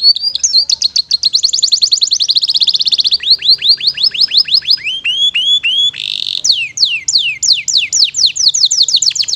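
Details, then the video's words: Canary in the gacor, isian mewah style of song: long rapid trills of high sharp notes, a buzzy rolling stretch, then slower runs of repeated downward-sweeping whistles, steady and unbroken for nine seconds. "Masteran Burung KENARI Gacor ISIAN MEWAH Durasi Panjang"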